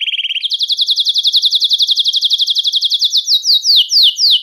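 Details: Belgian canary singing to attract and call canaries: a quick low buzzy trill jumps to a long chain of high, rapid sweeping notes, slowing near the end into a few louder falling whistles.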